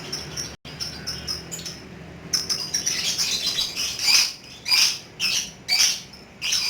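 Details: Lovebird giving its ngekek song: faint rapid ticking at first, then loud, harsh, high chattering bursts pulsing roughly every half second to a second.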